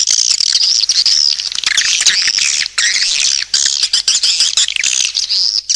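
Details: Swiftlet lure sound: a nearly unbroken stream of shrill, thin twittering with a few short pauses near the end.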